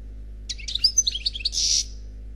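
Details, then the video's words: European goldfinch, single bird, Khalwi song style: a quick, bright jumble of high chirps and liquid notes that ends in a rough, buzzy wheeze, heard against a quiet electrical hum. "Chant Chardonneret Khalwi Célebataire"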